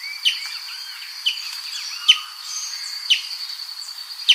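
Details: Brazilian tanager (Ramphocelus bresilia) song: sharp, high, downslurred notes about once a second, over a steady shrill insect drone with other soft bird chatter behind.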